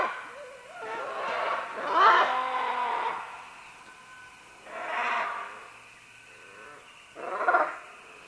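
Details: Green-winged macaws (Ara chloropterus), several calling at medium close range as they descend along vines: harsh, raucous squawks in rough bursts every two to three seconds, with quieter grating notes between them.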